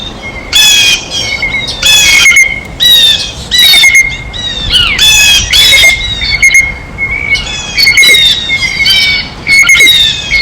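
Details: Harsh, rasping jay screams from blue jays feeding at a feeder come in loud separate bursts about a second apart. A faint continuous high whistle lies beneath them.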